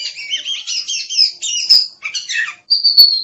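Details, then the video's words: Oriental magpie-robin singing loud warbled whistles and scratchy chirps, ending on a clear, sustained high whistle that falls slightly. "Suara Burung Kacer | Gacor"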